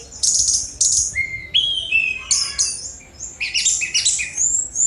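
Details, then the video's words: Sunda robin singing energetic high phrases: harsh chattering bursts, clear level whistles and downward slides, in rapid sequences with little pause. "Tledekan Gunung Speed Mewah"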